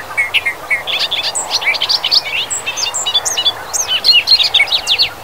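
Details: Bobolink singing in Wisconsin grasslands and fields: a continuous, tumbling stream of bubbling and gurgling high notes, jumbled and fast, with tinkling metallic phrases throughout and little background noise.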